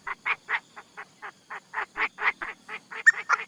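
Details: Decoy Chinese francolin uttering soft, quick, slightly nasal clucks in an uneven rapid series, about four to five per second, ending with a sharper squeak.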